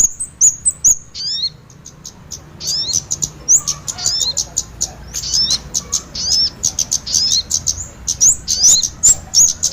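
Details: Lure recording for catching birds, combining kemade and sogon: sharp, very high ticking chirps repeated about 143 times a minute at an uneven pace, with scattered slurred whistles and a faint low hum beneath.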